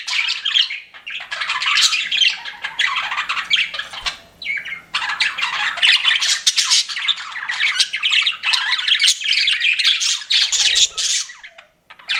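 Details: Pet budgerigars chirping. Bouts of dense, scratchy warbling and chatter last a few seconds each, broken by short quiet pauses near one, four and eleven seconds.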